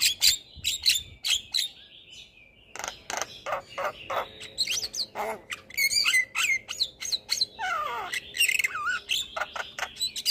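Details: Javan myna song used as a prompting recording to get lazy caged birds singing: a varied run of sharp chips, harsh broadband bursts, whistled notes and a descending squeaky glide, with short quiet gaps between phrases.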